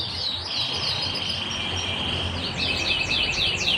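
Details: Panda canary singing: a sustained high buzzy note followed by fast repeated downward-slurred trill notes, over constant background hiss and low noise.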